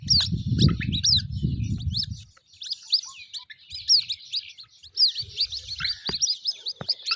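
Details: White-breasted waterhen chicks giving a rapid stream of thin, high peeping chirps, many notes sharply slurred, overlapping and irregularly spaced throughout, with a low rumbling noise during the first two seconds and again in short bursts later.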